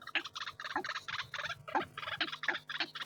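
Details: White-breasted waterhen giving a rapid series of coarse, croaking pulses, close together and uneven in loudness, forming a stuttering, gobbling chatter.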